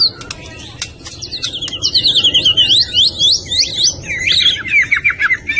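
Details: White-rumped shama of the Medan type in full song: a rich, fast stream of varied whistles, sliding up and down and twisting into bright trills, loud and clear, with a few clicks at the start.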